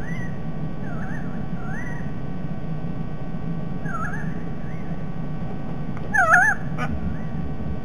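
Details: A White-bellied Sea Eagle on the Sydney Olympic Park nest cam near Parramatta River, Australia, on 16 December 2021 gives wavering, nasal honking calls, a few soft ones early and one loud burst near the end, over steady low wind rumble.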